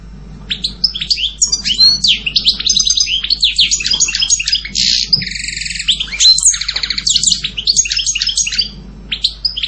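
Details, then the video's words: European goldfinch pouring out a lively song of tinkling twitters and fast trills, broken by a harsh buzzy rasp in the middle before bright chirping notes return. "Canto jilguero Goldfinch song"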